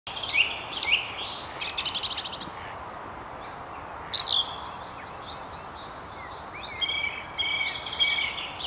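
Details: Song thrush singing from the very top of a tree on a walk along the River Tyne near Haddington. It gives varied high whistled and scratchy phrases, some notes repeated, over a steady rushing background of river or wind.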